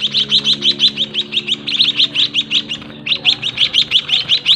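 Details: Captive White-headed munia chicks fed by their parents in a small breeding cage: rapid high thin chirps, roughly three per second, in a steady insistent stream with a brief pause near the end, faint low hum beneath.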